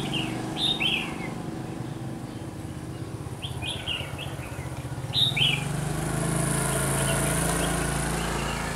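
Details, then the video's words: Red-whiskered bulbul decoy bird at a trapping site in Vietnam, 30 June 2020: several quick, bright warbled phrases with downslurred notes, repeated a few times, over low engine rumble and a hiss of background noise. "Bẫy chào mào Má lỡ mồi tập sự ăn hàng bổi"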